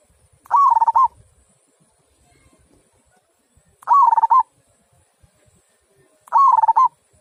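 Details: Big-voiced kung song from a local zebra dove: three evenly clear bursts of rapid pulsed cooing, each about half a second, repeated every three seconds or so against a quiet background.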